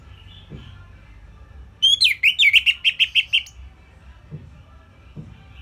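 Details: Orange-headed thrush (Geokichla citrina) song, kept as a master song for other birds to copy: a brief, clear phrase of about ten quick, even notes near three kilohertz, rattling along for under two seconds over quiet hiss.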